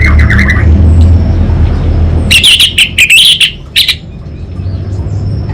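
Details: Orange-headed thrush from Singaraja, North Bali, delivering loud, rapid, buzzy high chatter in the 'kabel konslet' style after a few faint squeaks, with a persistent low rumble throughout.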